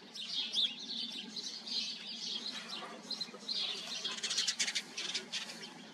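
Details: House sparrow colony in busy chorus: continuous tangle of chirps and cheeps, growing into rapid clustered notes near the end.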